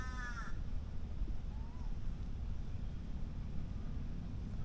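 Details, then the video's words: Crows calling in the evening at Queen Sirikit Park, Bangkok, Thailand: a single harsh, nasal caw, then a faint brief note, over steady low rumbling wind and handling noise. "เนี่ยก็จะได้ยินเสียงพวกอีการ้องนะครับ"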